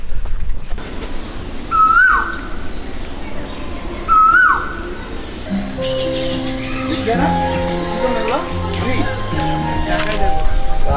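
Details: An Asian koel at Nahar Garden, a picnic resort at Kamta, Manikganj, Bangladesh, gives two clear, rising 'ko-el' whistles about two seconds apart, then music and people talking take over.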